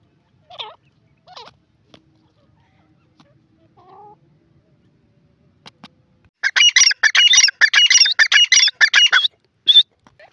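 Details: Grey francolin, locally called teetar, calling: a few faint curved notes open, then after a quiet gap a loud, rapid series of harsh, ringing, repeated notes runs for about three seconds, followed by one last note.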